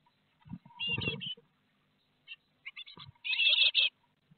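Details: Great tits fledging from a nest in Théding on 12 May 2021; a dull rustling knock, then scattered short notes building into a loud, rapid run of scratchy chirps near the end.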